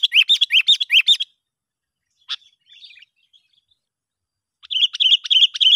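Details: Sooty-headed bulbul lure call for attracting other bulbuls: bursts of quick, bright, rising chirps in rapid series, with a gap holding a single click and faint twitter before the chirping resumes.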